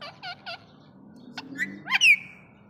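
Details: Female rose-ringed parakeet calling to a male: three short, harsh chattering notes, then a burst of clicks ending in a loud squeal that rises and falls away, over a low background hum.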